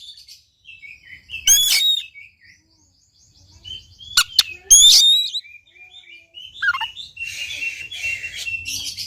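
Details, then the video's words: Oriental magpie-robin song meant to stir a silent bird: scattered loud whistled phrases with sharp clicks between stretches of soft gliding notes, ending in a dense, scratchy twittering warble. "KACER GACOR||PACINGAN &MASTERAN KACER MALES BUNYI"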